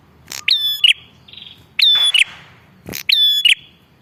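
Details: Energetic Bar-winged prinia calls used as a lure for wild birds. Three loud phrases about 1.3 seconds apart, each a snapping click and a shrill sustained whistle ending buzzily, with a softer buzzy note between.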